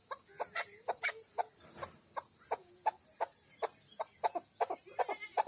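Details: Female Chukar partridge from Pakistan's Koh-e-Suleiman region giving a rapid, uneven series of short clucking notes, roughly three per second, some with brief tonal tails, over a steady high-pitched electrical whine.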